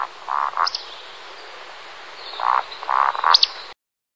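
A Eurasian woodcock gives low, croaking grunts, each set capped by a thin, high, sharp squeak. The pattern comes twice, and the background is otherwise quiet.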